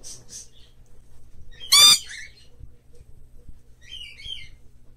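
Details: A hand-tame pet green-cheeked conure in a shop gives one loud, harsh, rasping screech near two seconds, with softer chirps before and after it and a low room hum.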